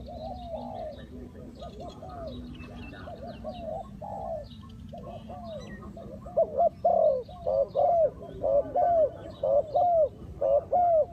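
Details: Spotted doves calling during trapping, a decoy drawing in wild birds. Soft distant cooing builds into a close, loud series of paired coo-croo phrases about once a second.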